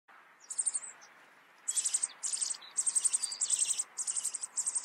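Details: Rock bunting giving very high, thin, sharp chirps in short rapid clusters, repeated in several bursts over a quiet background.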